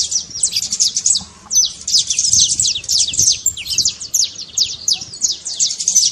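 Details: Saffron finch singing a trincado, a trilled song played to stir a quiet canary into singing: rapid, high, sharply descending chip notes run together in dense bursts, with a brief lull just past one second.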